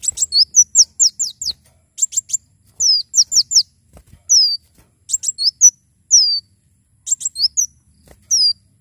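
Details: Javan sunbird singing energetically, kept as a tutor recording and lure for other birds: rapid series of high, sharp downslurred notes and clustered chips in bursts of several notes, with short silent gaps between phrases.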